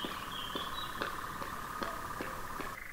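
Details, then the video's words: European nightjar churring in the background while two bears stand in front of a hide: a steady, rapid mechanical trill held without a break, with irregular soft knocks and rustles breaking in about every half second. "Björnar med Nattskärra och Gök i bakgrunden."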